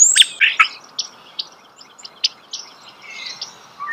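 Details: Starling heard close by in nature: a few loud squeaky notes at the start, then sparse scattered clicks and thin high whistles separated by short gaps, ending with a low slurred whistle.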